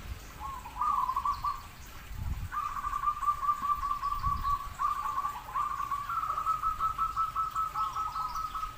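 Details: Zebra dove singing a series of mellow, rolling, trilled coos at a medium pitch, strung into longer warbling phrases, with a steady background hiss and a couple of dull low thumps.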